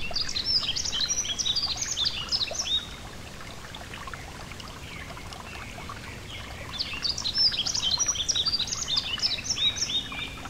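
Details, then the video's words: Beside a gentle stream, a yellow-throated bunting delivers two bouts of high, sharp twittering phrases, the first lasting nearly three seconds and the second starting after a pause filled only by the trickling, pouring sound of water. "Relaxing Nature Sounds: A Gentle Stream & The Yellow-Throated Bunting (Emberiza Elegans)"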